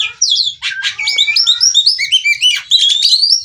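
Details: Female white-rumped shama song meant to prompt singing in other birds: rich, fast sequence of slurred whistles and sharp chirps, ending in a long rising whistled note.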